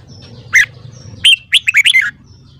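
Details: Red-whiskered bulbul morning song, meant to train other bulbuls to sing well: a single sharp note, then a quick phrase of five loud, clear, slurred whistles, with a low hum in the background.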